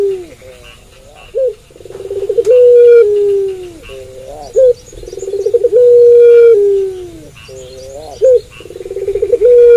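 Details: A puter pelung dove sings at night. Deep repeated coo phrases: a quick rising note, a pulsing rolled section, then a long sustained tone sliding lower. Soft high chirps come from the background.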